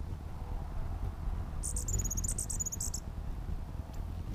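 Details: One rapid run of shrill, thin chittering notes from territorial hummingbirds lasts just over a second, set against low, steady background noise.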